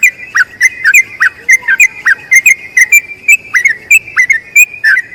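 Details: Sooty-headed bulbul singing a long rolling song used as a tutor for other bulbuls: rapid run of short, clear whistled notes, each dipping then rising, about three or four per second, with no other sounds.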